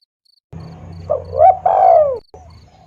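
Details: Spotted dove lure call: quiet soft notes, then a clear coo and a long, loud, down-slurred crooning note over a steady low hum.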